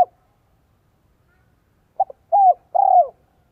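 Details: Lure dove, a spotted dove singing 'giọng son 1 cốt lỡ' for attracting wild birds: a brief pair of soft notes, a clear descending coo, then a trembling, buzzy longer coo, in quiet surroundings.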